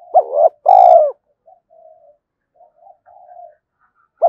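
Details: Spotted dove cooing as a decoy to draw wild doves to fight; one loud two-part coo with a faint high squeak, then soft humming notes and the start of the next coo.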